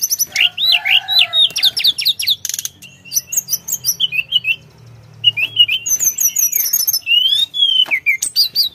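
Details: A Sunda forktail in full song gives rapid series of high, steeply slurred chirps, a brief pause with low hum, then more whistled phrases and quick trills.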